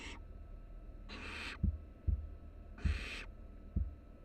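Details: Three barn owl chicks huddling for warmth in a Florida nest box at the University of Florida give three drawn-out rasping hisses, interspersed with soft rhythmic thuds like footsteps.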